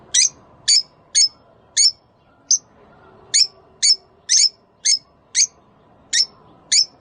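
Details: Rosy-faced and Fischer's lovebirds calling to stimulate breeding: sharp, high-pitched chirps repeated at a steady pace of about two per second, each short and shrill, with little else audible.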